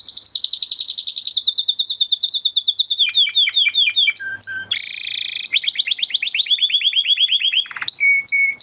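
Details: Huppe Spanish Timbrado canary, a 2020-bred flock bird, delivers varied training song: long rapid high rolls, dropping to lower chopped notes, a brief buzzy tour, flowing descending trills, and clear whistled tones at the end.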